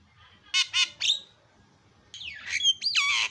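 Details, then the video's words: Javan myna (jalak kebo), very noisy isian song for tutoring birds: two rasping squawks and a short note, a pause, then sweeping falling and rising whistles and harsh screeches. "SUPER BERISIK JALAK KEBO SUARA ISIAN"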